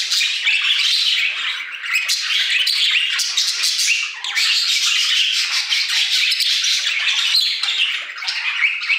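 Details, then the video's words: Several budgies in an aviary sing in an unbroken, busy chatter of rapid scratchy chirps and warbled notes, steady and loud throughout with only a short dip around four seconds. "Budgie Songs - 1 hour of Budgies singing in the Aviary"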